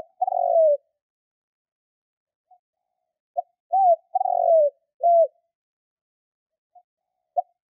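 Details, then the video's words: Spotted dove lure call for trapping wild doves: soft, low cooing in short bursts, a drawn-out falling coo followed by brief hooked coos, separated by quiet pauses of one to two seconds, with no other sounds. "Chim cu gáy kích bổi nhanh nổi"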